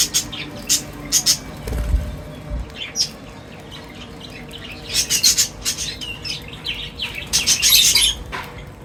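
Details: Various birds gathering at feeding time: busy overlapping high chirps and squeaky twitters in bursts, some harsh squawks, with a couple of low thumps and a steady outdoor background.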